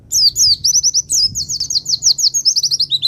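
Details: White-eye from Pacitan, a master recording for stirring up other birds: a rapid, unbroken stream of high, sharply slurred chirping notes, dense and continuous throughout, with a faint low hum beneath.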